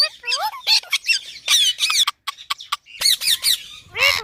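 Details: Ringneck parrot giving loud harsh squawks mixed with short upward-sweeping whistled notes, bursts closely spaced with a brief silent gap near the middle.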